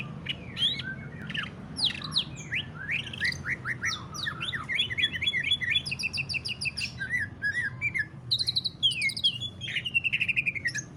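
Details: Extended greater green leafbird song in the 'ngentrok' style, used to provoke other leafbirds to sing: dense mix of sweeping whistles, rapid high trills and mimic-like chatter, building in pace toward the end.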